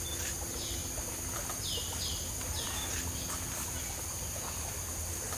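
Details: A nesting Red Lory/Coconut Lorikeet hybrid at the National Equestrian Centre, Singapore, gives about four short, shrill, downward-sweeping calls over three seconds, against a steady high insect-like hiss and a low rumbling hum.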